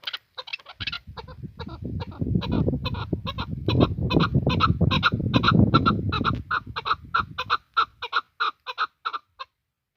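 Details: Chukar partridge kept as a hunting decoy bird: rapid series of harsh, clucking chuck notes repeated about two to three times per second, partly masked by low rumbling noise in the middle, then clearer and more spaced toward the end.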